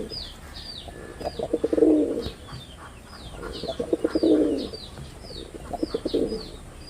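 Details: Red-bordered wild pigeon, a male, performing: clipped low pulses that build into a rolling drawn-out coo, heard twice with a fainter third, over steady high twittering from other small birds.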